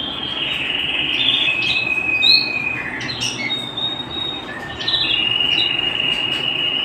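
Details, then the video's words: Canary singing at home: a long steady trill, then a sequence of varied whistled tours with quick upward and downward slurs and short chips, returning to a sustained rolling trill; steady hiss behind. "canary bird - canary singing - canary sounds - canary singing at home"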